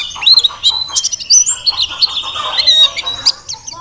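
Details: Mountain white-eye of the Merapi Dakun type, taken from the wild, sings energetically. A sustained high whistle runs beneath sharp, bright chirps and short trills, with busy overlapping twitters throughout.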